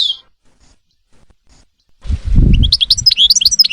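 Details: European goldfinch: one chirp, a short quiet gap, then a low rustling thump followed by lively high twittering notes tumbling in quick succession.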